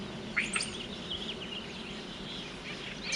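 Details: An invasive European starling in North America runs through a jumble of squeaky whistles, clicks and scratchy chatter, copying other birds' calls, over faint outdoor background noise.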